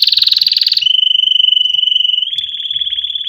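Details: Canary song for training chicks: a fast, pulsing trill that smooths into a long, steady, pure whistle, then steps slightly higher and carries on with a light tremor.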